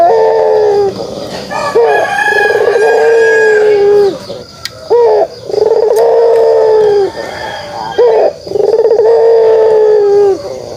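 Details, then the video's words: Pelung turtle dove's kugeruk call: a series of long, steady, deep hollow coos, each led by a quick rising note, repeated about every three seconds. "suara kugeruk burung puter pelung"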